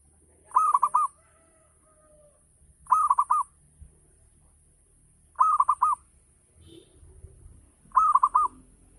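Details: Local zebra dove repeating a 'ngayer' lure song meant to set other doves singing: four matching phrases of four quick, mellow coos, spaced about every two and a half seconds, with faint softer notes and low rumbling between.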